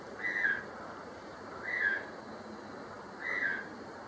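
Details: White-throated toucan, locally Tucán llanero, calling in secondary forest at Acacías, Meta, Colombia; three short yelping notes that dip slightly in pitch, spaced about every one and a half seconds, over a steady background hiss.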